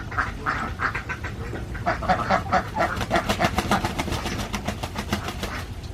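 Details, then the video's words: Flock of Alabio ducks, a breed endemic to Borneo, on a farm in Central Java; overlapping nasal quacks in the 1–2k band, with a rapid burst of clicking, knocking strokes near the middle and a low rumbling background. "ENDEMIC BORNEO ALABIO DUCKS , CAN LAY EGG WITHOUT MATING , DUCKS SOUND"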